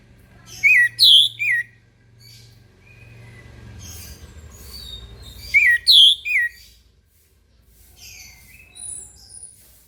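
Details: Morning song of an orange-headed thrush, delivered as bright looping whistled phrases of three or four notes, repeated after about five seconds, with quieter scattered chirps and a low background hum.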